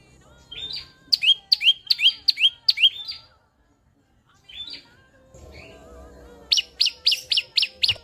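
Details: Olive-backed sunbird in Indonesia giving rapid bursts of sharp, descending chirps, about eight in a row, a short pause, a softer pair, then another fast run of bright notes with faint background murmur.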